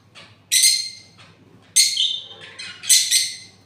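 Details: Parrot calling in three loud, harsh bursts, each a broad screech with layered overtones, separated by short quiet gaps.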